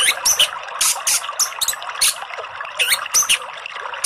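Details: An orange-headed thrush, its song played as therapy and a lure for birds that have stopped singing, sings a rapid, varied run of high sweet whistles, trills and scratchy notes in short bursts with hardly a pause, over faint hiss.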